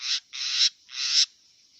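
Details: Wild long-tailed shrike giving three harsh, raspy bursts, each about a third of a second long, with short gaps between them and a faint steady high tone in the background.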